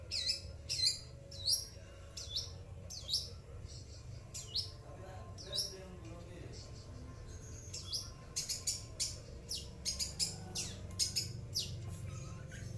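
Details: Pet long-tailed shrike answering coughing sounds: a run of sharp, high chirps and squeaky notes, some in quick pairs, a steady low hum underneath.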